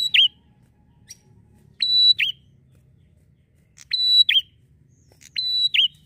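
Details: Bar-winged prinia giving its gacor ngalun song to lure other prinias: repeated phrases of a short tick and a long level high whistle ending in a swift dipping flourish, roughly every two seconds, with soft low rumble behind.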